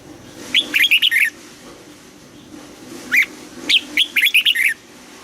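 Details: Red-whiskered bulbul's double-note 'âm kép già rừng' morning training song: two bursts of five or six fast, lilting whistled notes, separated by a single note and a short pause.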